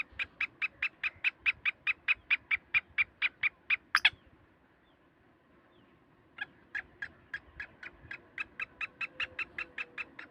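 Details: Black francolin in Sindh, Pakistan: a fast run of evenly spaced, sharp ticking notes, about two per second, broken by a short louder burst and a pause, then the series resumes steadily.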